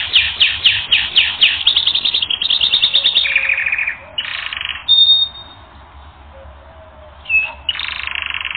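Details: Canary singing on a training record: quick repeated high notes that run into a dense rattling trill, then short buzzy blocks separated by pauses, a brief thin whistle and a final buzzy phrase.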